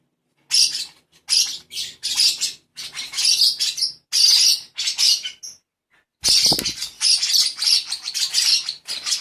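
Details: Lovebird chick being hand-fed, uttering an almost continuous stream of raspy, wheezing begging screeches in uneven pulses, interrupted once by a dull thump of handling.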